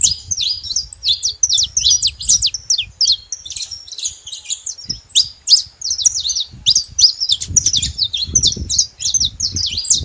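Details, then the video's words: Saffron finch living free in the wild, delivering a continuous stream of quick, high chirping notes and short slurred whistles, dense and unbroken throughout, over a soft low background rumble. "canário da terra livre na natureza"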